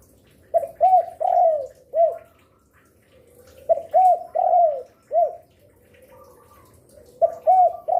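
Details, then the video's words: Spotted dove kept as a lure, said to call often midday, afternoon and night; three repeated phrases roughly three seconds apart, each two quick notes, a long falling coo and a short arched coo. "Derkuku gacor rajin bunyi siang sore malam cocok untuk pancingan"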